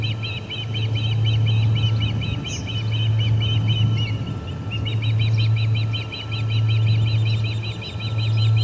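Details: Ospreys at the Charlo P2 nest chasing off returning visitor ospreys, midday August 20, 2020: long chains of rapid, shrill whistled chirps, pausing briefly at mid-clip before resuming, all over a steady low mechanical hum.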